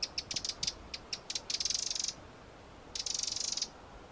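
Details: Eurasian wren, a small brown barred passerine: scattered sharp high ticks give way to a rapid, rattling high-pitched trill, then a pause and a second fast trill of equal pitch, against faint background hiss.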